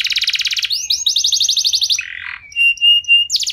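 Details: Canary song for triggering other canaries: a fast pulsing trill, then quick upward-slurred notes running into a rapid rattle, a low buzzy phrase, and a thin sustained whistle before a final burst.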